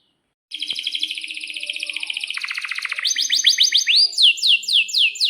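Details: Canary song meant to lure other canaries into singing: after a brief silence a high buzzy trill runs steadily, drops lower, then breaks into loud, swooping, upslurred notes repeated several times a second.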